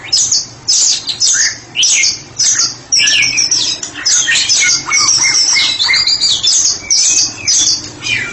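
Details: Ngeplong song of a therapy-specialist white-rumped shama: loud, energetic phrases of sharp chirps, buzzy trills and sweeping whistles, roughly two phrases per second, separated by brief pauses.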